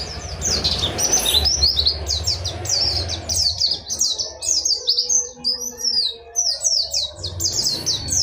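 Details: Fast, high twittering song of an Oriental white-eye, dakun wilis ngerol nembak style, a dense stream of slurred chirps, with rumbling low noise through the first half and again near the end.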